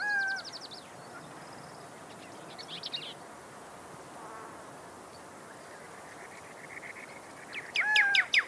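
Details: Desert cardinal (Pyrrhuloxia) giving a brief high trill and short whistle, a quick buzzy note cluster, then a long quiet stretch before a loud series of sharp descending chips mixed with whistled slurs.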